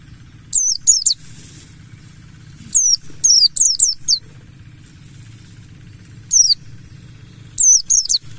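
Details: Ngalas-style mountain white-eye lure for prompting caged birds to sing: bursts of two to four sharp, high downslurred notes separated by short silences, a brief rushing noise early on, low hum throughout.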